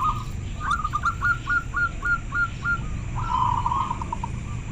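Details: Clear-voiced local zebra dove giving a rapid string of short, clipped notes that runs into a slurred, rolling trill, with a low background hum throughout.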